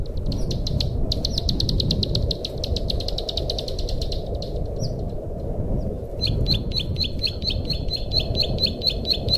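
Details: A plain prinia gives fast, buzzy repeated notes for about five seconds, then a quicker ticking series of sharp notes, over a low rumble of wind or traffic. It is used as a lure for trapping and as a tutor song for caged birds.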